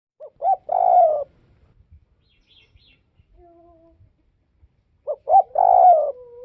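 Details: Spotted dove from northwestern Vietnam cooing: two phrases, each made of two short hooting notes followed by a long, slightly falling coo. A faint, level, softer coo is heard in the pause between them.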